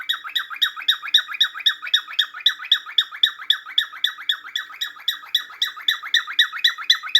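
A cockatiel gives rapid, repeated harsh chattering notes, about four each second.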